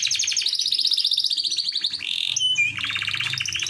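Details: AF canary in vigorous song to attract a female: a long, quick, slightly falling chain of chirped notes, a short whistled slur, then a fresh rapid trill at a lower pitch.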